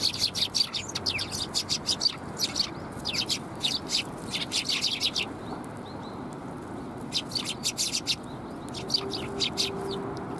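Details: Sparrows at a Tenmangu shrine, Japan, on 13 December 2021, giving bursts of sharp, high chirps in quick clusters, a short lull midway, then more rapid chirping over a steady low background hum.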